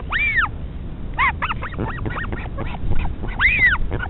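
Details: A northern royal albatross mother feeding her chick at the nest, Pukekura/Taiaroa Head colony near Dunedin, New Zealand, 2016, gives two arching, squealing calls that rise then fall, with a quick run of short nasal squeaks between, over low rumbling noise.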